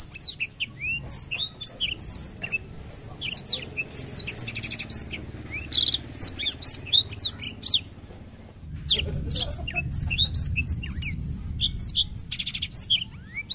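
A black-throated canary sings a fast, unbroken stream of high twittering notes and thin trills, with one brief pause, over a low background hum.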